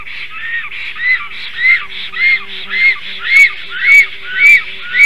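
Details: A breeding pair of black storks defending their nest in a tree from an intruding stranger stork, midday, 12 July 2023. Loud nasal squealing notes, each arched and harmonic-rich, repeat steadily about twice per second, with occasional sharp clicks.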